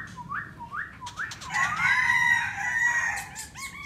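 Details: Black laughingthrush in full song: short rising whistles repeated three times, then a loud dense burst of harsh mixed notes and a sustained whistled strand.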